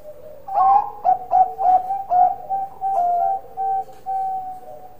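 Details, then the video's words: Zebra dove, described as a Bangkok type with a big voice, singing a cooing song: a soft low note, a quick run of four or five stuttering coos, then drawn-out level coos that fade. "Perkutut Bangkok Gacor Suara Besar"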